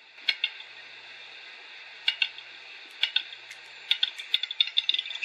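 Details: Western Capercaillie at its lek in Savukoski, eastern Lapland, in spring with snow patches still in the forests, giving its every-morning display: dry, knocking clicks, first spaced and single, then quickening into a rapid rattling run, over a faint steady hiss.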